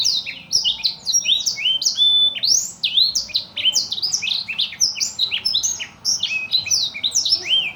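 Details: Imported small blackthroat, kept as a tutor bird for other songbirds, singing non-stop: a fast, continuous stream of high, sharply slurred whistles and rising and falling notes, densely packed with no pauses.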